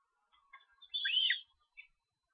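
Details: Young Osprey being fed at a nest in Estonia, 13 July, giving one short, high, squealing chirp with falling inflections, preceded by faint soft notes and followed by a brief thin chirp.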